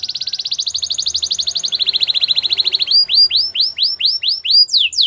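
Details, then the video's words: Training song of a canary: a rapid even trill dropping slightly in pitch, followed by spaced, sweeping downslurred whistles about three per second. "The Most Spectacular Canary Song!! Listen To This And Your Canary Will Sing A Lot"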